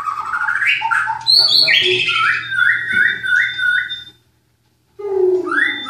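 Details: White-rumped shama from a bird-breeding setting in Klaten: varied squawky and whistled notes, a series of rising slurred phrases, a second of silence, then more rising whistles.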